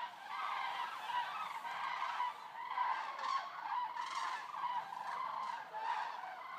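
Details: A resting flock of some 200 Eurasian cranes at Racconigi, Italy, gives loud overlapping bugling calls in repeated surges, a thick chorus of honking voices throughout.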